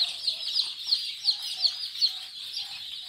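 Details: Brood of day-old Kadaknath chicks at Singaperumal Koil in Chengalpattu district, one sharp high peep standing out about three times a second above a constant shrill chorus from the rest of the flock.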